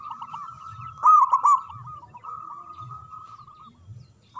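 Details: Local zebra dove in full song, strong-voiced: a long unbroken run of quick, rolling coo notes held at one pitch, with a loud burst just after one second, then the trill continues steadily.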